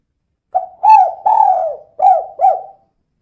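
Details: Female spotted dove in the 'kuk kuk' calling style, used as a lure to get other doves singing: five low, hollow coos, a short note, two longer rolling ones, then two clipped notes falling away, with no other sounds.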